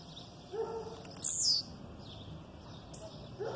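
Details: Blue-black grassquit aggressive song with female calls behind: one short, shrill note dropping in pitch, followed by faint scattered chirps and hiss.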